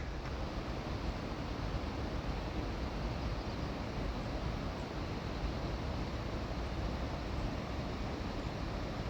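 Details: Continuous roaring wind or rushing water in a mountain canyon, with no animal calls.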